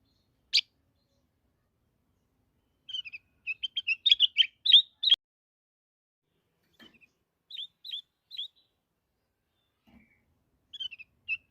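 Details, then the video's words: Black-headed bulbul song: a sharp opening note, then a lively run of varied chirping whistles lasting about two seconds. Scattered quieter notes and a further short phrase come after pauses. "Suara Asli kutilang emas"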